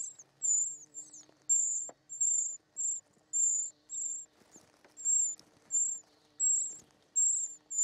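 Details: Short-toed treecreeper chicks begging in the nest while fed: regular bursts of very high, thin, buzzy squeals about every half second, with a faint low hum beneath.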